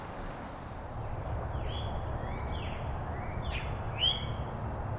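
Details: An Eastern Towhee calling in the distance on a morning at Withrow Nature Preserve, Ohio, near the Ohio River overlook: a few short, rising, slurred notes about a second apart over a steady low rumble.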